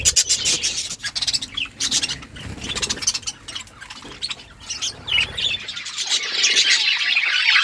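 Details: Budgerigars in the morning, clicking and pattering sounds mixed with high chirps, building to a continuous busy warbling chatter at the end.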